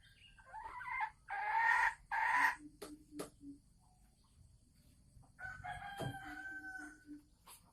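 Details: Female red junglefowl of Sumatra, caged, vocalising before laying on 24 December 2020: two loud rasping notes, a few clicks, then a longer wavering call after a pause, over background hum.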